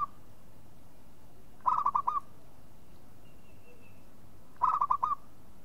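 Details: Local zebra dove (perkutut) calling: two bursts of quick, staccato rolling coos, each about half a second long, about three seconds apart, over a quiet background hiss.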